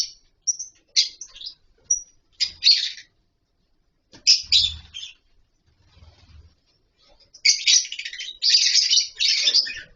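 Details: Captive lovebirds in a colony setup with wooden nest boxes and mud bowls: scattered bursts of shrill, high chirps separated by short pauses, then a dense stretch of overlapping chattering calls near the end.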